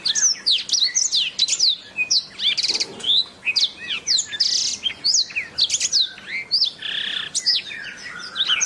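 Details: Canary master song meant for training birds: continuous rich warbling of fast high sweeps, chirps and buzzy trills, varied phrases following each other without pause.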